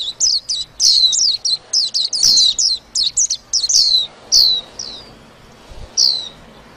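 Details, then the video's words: A white-eye twitters continuously, rapid high-pitched descending chirps tumbling one after another for four seconds before slowing to spaced single notes. "tiếng chim vành khuyên hót líu lo"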